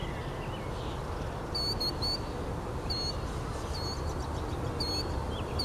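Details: Killdeer giving sharp, high-pitched call notes, single or in quick pairs, spaced irregularly about a second apart, against constant low-frequency wind and background rumble.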